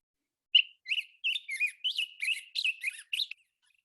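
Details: Black-headed Grosbeak, a large-billed neotropical migrant, sings at dawn around 5:45 am in spring at Point Reyes, California. It gives a quick run of rich, warbled phrases like a robin's song but hoarser, about eight notes in three seconds.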